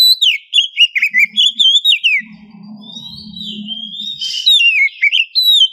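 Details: Female oriental magpie-robin in heat calling to a male, morning lure recording: continuous fluid whistling with quick dips and slurred rises, loud and varied. A low steady hum runs beneath part of it.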